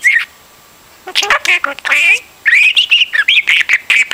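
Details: Pet budgie chattering like a stuck radio: a brief chirp, then jumbled squawks, then a steady run of short, high, repeated whistled notes at about four per second.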